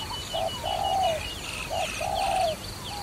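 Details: Dove at a trapping spot calling two clear phrases, each a short coo then a long, gently falling one. Busy high chirping from other birds fills the background.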